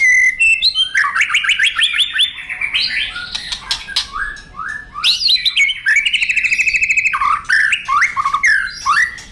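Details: White-rumped shama singing energetically as a master training recording: a continuous, varied stream of rich whistles, rising slurs, rapid trills and sharp chips, changing phrase every second or two, over faint background hum.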